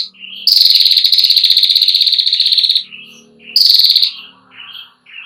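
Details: Female ashy prinia giving a long, loud trill, used as a tutor recording for young birds: a sustained rapid buzzy rattle of about two and a half seconds, then a shorter burst, with soft chirps between.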